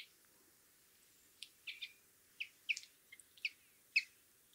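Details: Brambling, male and female, uttering scattered sharp chirps and short clicks, irregularly spaced over a few seconds, in quiet surroundings.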